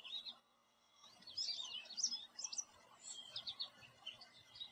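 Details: An American Goldfinch perched in a backyard tree sings a rapid, jumbled run of high twittering notes and thin slurred whistles, with a short pause near the start.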